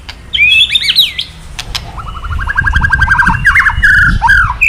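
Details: White-rumped shama kretekan, meant to rouse a male shama to sing: loud looping whistles, then a fast run of rising clipped notes like a rattle, ending in bright slurred phrases. A low rumble underneath.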